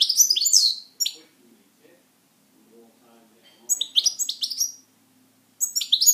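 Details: Pet European goldfinch in song, delivering rapid high tinkling twittered bursts at the start and end, with a quieter gap between them.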